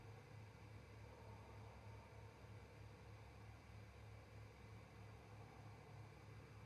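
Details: Constant low electrical hum and hiss with no animal calls.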